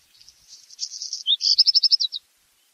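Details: Black redstart song ending: a scratchy crackling run that swells into a fast, bright series of about eight clipped high notes, then silence.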